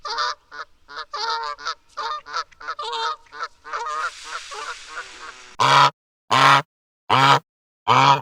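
Canada goose giving a rapid run of short, nasal honks and cackles, then four loud, harsh, drawn-out honks spaced about half a second apart.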